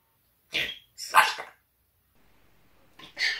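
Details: Pet talking parrot indoors, swearing at its owner: three harsh, raspy bursts of voice-like squawks, two close together near the start and a third after a short quiet gap.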